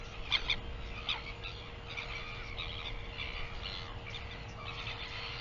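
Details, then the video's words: Northern royal albatross on 24 September 2021: sharp clicking or clapping bursts open the sequence, followed by a run of buzzy harmonic calls that carry on to the end, with light wind noise beneath. "Northern royal albatross"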